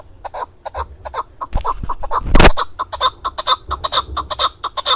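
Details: Male chukar partridge used for hunting, Darvoz, Tajikistan, 2020: choppy repeated chuk notes, interrupted midway by a loud rushing thump of handling noise before the calling resumes.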